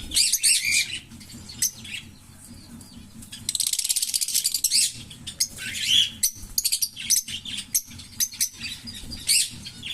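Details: Green Fischer's lovebirds, a pair, produce bursts of high, harsh twittering and scratchy chatter, separated by short pauses filled with sporadic sharp chirps.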